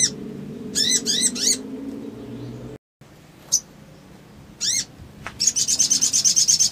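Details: Crimson sunbird chirping as an emotional lure: a few sharp high notes, a short silent gap, scattered chips, then a rapid pulsing trill of high notes at the end, with low hum throughout.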